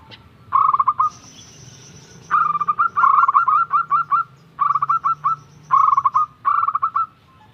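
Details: Young local zebra dove repeating rapid staccato cooing bursts, each a tight run of short hollow notes ending with a slightly longer coo, about six bursts in quick succession over quiet background.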